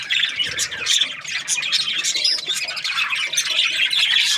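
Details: Budgies, Australian parrots, chattering in a thick wash of harsh squawks and quick, high, wavering chirps, several voices layered together.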